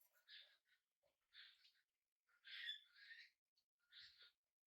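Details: Tame budgerigar chick, hand-reared, on its first day at home: quiet, rough chirping notes in short bursts, a louder double chirp in the middle, in a still indoor room.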